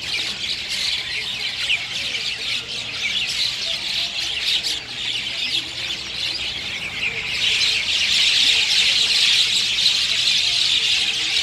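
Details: Chestnut-tailed starlings giving dense, harsh chattering calls, a continuous overlapping squawky twitter that swells louder and fuller after about seven seconds, like a noisy flock calling together.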